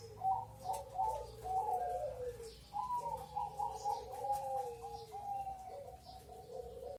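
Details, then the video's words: Crossbred zebra dove song: continuous soft, warbling coos ripple along, with trilled notes followed by long descending slurs. A lower and a higher line overlap throughout, and faint hiss sits in the background. "BURUNG PERKUTUT CROSING/SILANGAN GACOR RAJA"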